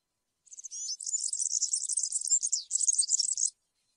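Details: European serin singing cante campero, the field-style song used to train young birds: a three-second, unbroken, high-pitched, buzzy and tinkling jingle of rapid notes.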